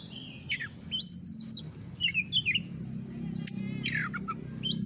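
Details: Lure recording of an Oriental magpie-robin singing, meant to provoke lazy birds into song. Clear whistled phrases slide up and down, with a few sharp chips and a burst of rich warbling, against a constant faint high tone.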